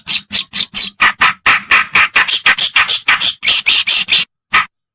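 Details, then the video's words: Reed warbler lure sound, kerakbasi or cikrok of the white-browed or black-browed kind, meant to draw birds in: a rapid series of scratchy, rasping chatter notes at about two per second, then a brief pause and one final note. "Suara Pikat Burung Kerakbasi Alis Putih/Alis hitam(cikrok)"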